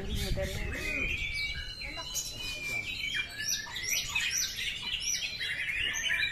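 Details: Murai batu, or white-rumped shama, delivers rapid varied whistles, sharp upslurred notes and chirps, with a man's voice briefly audible at the start and a busy low background hum.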